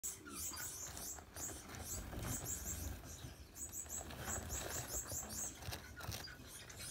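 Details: Four yellow Gouldian finch chicks in a nest, producing faint, very high, thin chirps in rapid clustered runs of about two or three per second, with soft rustling and low background hum.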